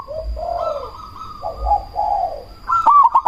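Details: Zebra dove of the cemani variety, a lure for provoking other doves and raising breeding drive: soft mellow low coos drawn out, ending in a sudden loud clicking phrase with rolled notes, over a faint steady high tone.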